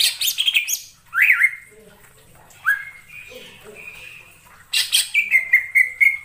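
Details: Cucak ijo lure song for catching birds: harsh burry notes, rising and falling slurred whistles, and a final run of bright, steady whistled notes, nothing else audible.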